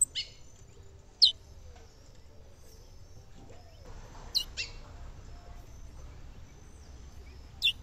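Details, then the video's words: Female chestnut-bellied seed finch (curió) calling to stimulate the male, by a river in the sertão of Brazil's northeast caatinga; three brief, sharp, high chirps come at irregular intervals over a faint noisy background. "Fêmea de curió chamando mulher pra esquentar o macho melhor piado"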